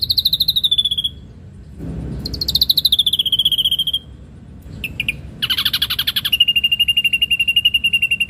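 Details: A kept ashy drongo (Dicrurus leucophaeus) singing fast, buzzy pulsed trills that slide slightly downward, in bursts of one to two seconds with short pauses, and a brief low rumble between phrases.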